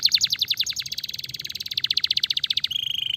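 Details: Canary singing a stimulating song: rapid rattling trill of repeated chirps that quickens and smooths into a rolling tour, ending in a steady, level buzzy note.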